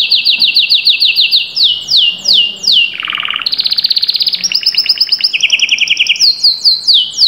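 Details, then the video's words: Canary song of repeated falling whistled notes, a low rattling roll, then rapid high trills and more descending slurs, sung loudly and continuously. "تمتلك كناري لم يغرد منذ فترة؟أسمعه هذا التحفيز"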